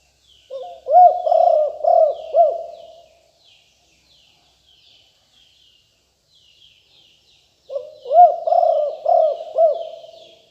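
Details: Fierce-lineage spotted dove singing lium tan style, kept as a lure caller, 2021: two bursts of throaty, hump-shaped coos separated by several seconds of quiet, with thin distant bird twitters behind.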